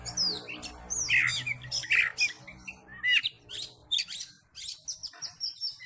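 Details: Oriental magpie-robin singing persistently in full fighting mode to provoke other magpie-robins: harsh rasping squawks and twisting whistled slurs in irregular bursts roughly once a second, over a low background hum.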